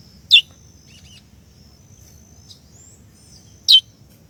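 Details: Calling female chestnut-bellied seed-finch trying to stimulate the male: two loud, clean chips dropping sharply in pitch, about three seconds apart, with a few faint twittery notes and a thin high hum between them.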